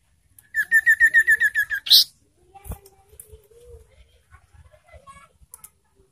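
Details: Lure call of an ashy tailorbird, meant to provoke caged birds and bring them into breeding condition: a fast, even series of about ten bright, ringing notes, followed by a harsh burst and then near silence with faint rustles.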